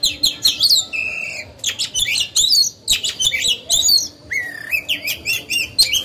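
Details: Oriental magpie-robin kept as a caged lure bird, singing to stir rivals into song; rapid mix of sharp high chirps, bent whistles and a flat steady whistle, nearly continuous with brief pauses.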